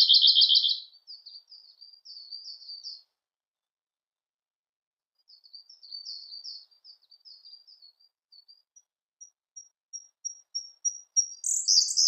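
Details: Song of a Siberian blue robin: a loud rattling trill, soft chattering notes, a pause, then quiet twitters leading into evenly repeated thin high ticks that speed up into a loud, sharp high phrase.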